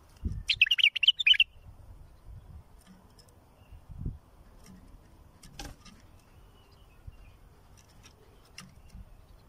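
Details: Bulbul song played for tutoring and raising fledglings: one short, rich warbled phrase of quick whistled notes lasting about a second, then scattered clicks and low rumbling background noise.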